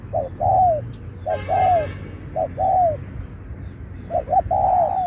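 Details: Singing-contest spotted dove in the Thúc kèm Bo style. Short note then sliding, descending coo, repeated. The final phrase doubles its opening note, and a brief harsh noise overlaps one coo. Steady low background rumble.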